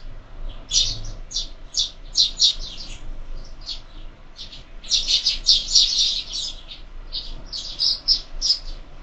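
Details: Sparrows at a window-mounted feeder during breakfast, part of year-round bird feeding; a steady stream of short bright chirps from several birds, clustered in bursts with brief pauses between.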